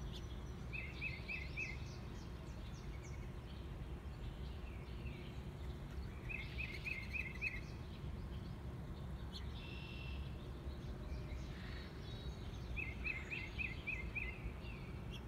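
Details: Bird singing on 30 April 2022: a quick, high run of about five even notes, repeated roughly every six seconds, with fainter chirps between the runs over a steady low rumble of background noise.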